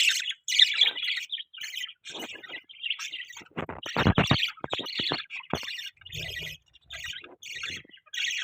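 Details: Budgerigars making what is called mating sound: a close, busy stream of scratchy chirps, warbles and buzzy squawks, with short clicks and pauses between bursts.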